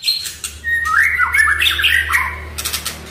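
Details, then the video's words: Oriental magpie-robin song used to prompt a quiet bird to sing: a rich, warbling run of mid-pitched slurred whistles, fast and varied, over a steady low electrical hum. "MURAI DIRUMAH DIEM,//, COBA DENGARKAN KICAUAN INI"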